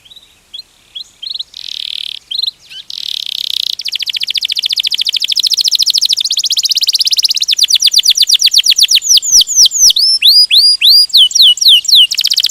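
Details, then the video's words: Long rolling canary song: soft buzzy phrases build into an extended rapid trill of even repeated notes, shifting near the end to sweeping whistled slurs. "Kenari Ngerol Gacor - Banyak burung kenari cepat gacor dengan suara kenari ini"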